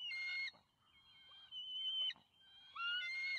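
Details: Juvenile bald eagles at a nest, recorded on a nest camera on May 28, 2020, as the father arrives with fish. Two loud bouts of high, whistled squealing wails with a quieter gap between them.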